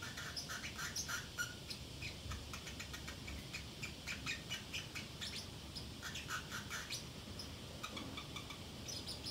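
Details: A Pacific parrotlet on its own at home babbles steadily: dense, rambling sequences of tiny chirps, clicks and brief whistled squeaks, almost continuous, soft and high over a quiet indoor background.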